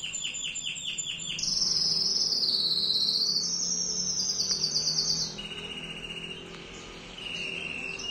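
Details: Male Timbrado canary in full song: fast pulsed rolls give way to a loud, wavering high whistled phrase, then a lower steady rolled trill that pauses and resumes.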